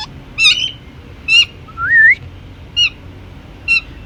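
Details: Pet Indian ringneck parakeet giving short, bright, rising whistled chirps about once a second. One is a longer wavering upward whistle.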